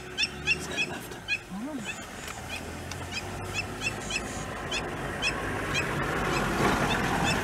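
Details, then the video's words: Crowned Lapwing calling intensively at Masai Mara, Kenya, on 18 November 2018 while a serval hunted nearby: sharp high notes repeated rapidly, several per second, over a steady background hum, with a man speaking softly. "a Crowned Lapwing can be heard intensively calling"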